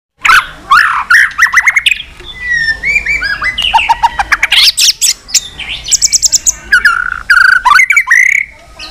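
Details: White-rumped shama singing a many-voiced fighting song while flicking its tail: rich, varied phrases of clear whistles, buzzy trills and sharp rapid clicks, with sudden shifts between low and very high notes.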